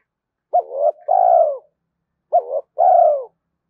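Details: Spotted dove coo played to rouse and train decoy birds: two phrases, each a short hooked note followed by a longer, mellow, slightly falling coo, in quiet surroundings.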